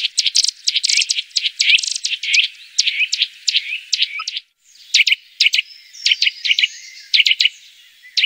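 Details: Eurasian nuthatch calling, as used for luring birds: a dense, excited run of sharp, high chipping notes, a brief gap, then more spaced, emphatic clipped calls.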